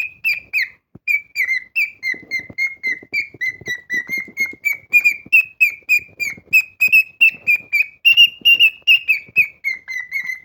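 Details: A cockatiel whistles loudly and beautifully, giving a steady ten-second stream of sharp, evenly spaced notes that waver gently up and down in pitch, with faint room noise behind.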